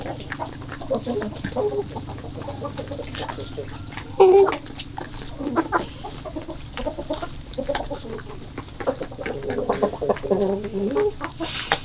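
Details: Morning chickens in February 2022, soft scattered clucks over a steady low background hum, with a couple of brief louder squawks near the middle and end.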